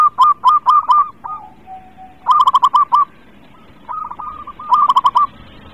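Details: Local zebra dove singing steadily as a lure for idle birds, with three groups of quick, bright stuttering coos and softer trailing coos in the pauses.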